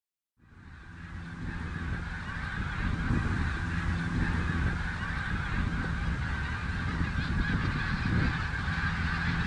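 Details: Snow geese on the Richelieu River: a dense, continuous chorus of many overlapping honking calls from a large flock, with a strong low rumble of wind or engine noise underneath.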